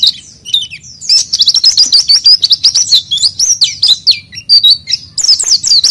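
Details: Oriental white-eye singing as a lure: a few scattered high notes, then a dense, fast twitter of chirps and rising-falling whistles lasting several seconds, over a faint hum.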